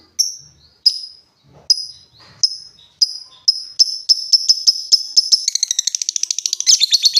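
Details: Lovebird in ngetik leading into ngekek style: crisp high ticks about every 0.7 seconds that steadily quicken, then run together into a rapid, continuous, rattling chatter at the end.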